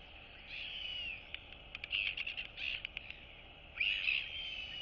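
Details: Downy royal albatross chicks interact and greet each other on 9 September 2022. Drawn-out grating calls are broken by a quick run of sharp clicks. Another rasping call follows near the end, over a faint constant hum.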